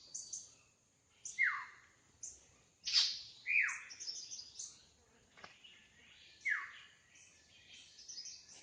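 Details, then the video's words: Drongo singing in the wild, giving a sequence of bold downslurred whistles every second or two, mixed with softer high chips and twitters, over a constant high-pitched background hiss. "Suara burung srigunting asli di alam liar gacor"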